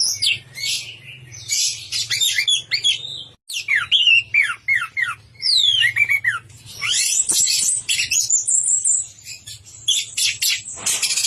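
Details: Orange-headed thrush in vigorous 'teler' song, stringing together fast looping whistles and sharp descending slurs, then a long, busy high chatter near the end, with a low hum throughout.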